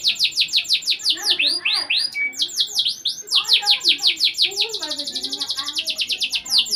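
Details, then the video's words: Lively domestic canary song used as a tutor recording to coax silent canaries into singing: rapid series of sweeping upslurred notes, a brief thin whistle, then an accelerating, tightly repeated trill running to the end. "MASTERAN PANCINGAN BURUNG KENARI GACOR UNTUK KENARI MACET BUNYI"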